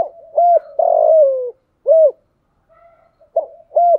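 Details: Cooing decoy spotted dove, thunder-voice style, meant to draw in wild doves during the rainy, windy season: two short hooked coos, then a long sliding coo, another coo, and softer trailing notes.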